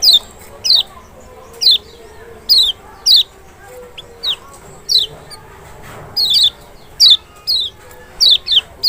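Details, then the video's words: Lemon-bellied white-eye (Zosterops chloris maxi) of Lombok or Sumbawa, provoking song for a lazy singer: steady series of sharp, high, descending whistles, frequently doubled, coming about once a second. "panciangan sepesial Kecial malas bunyi nggak mungkin nggak respon"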